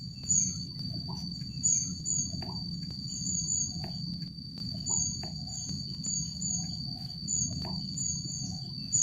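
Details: At Jatimulyo bird conservation village, a Rufous-backed kingfisher gives thin, piercing high-pitched notes, singly and in pairs at irregular intervals, against a continuous high insect whine and low-frequency ambient noise.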